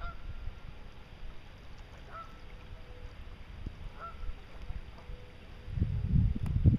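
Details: Wild geese, among them Canada, greylag, Egyptian, shelduck, barnacle, brent, white-fronted and bean geese, arrive at Meerbusch to rest before migrating south. They give a few faint, distant nasal honks about every two seconds over low wind rumble that swells into buffeting.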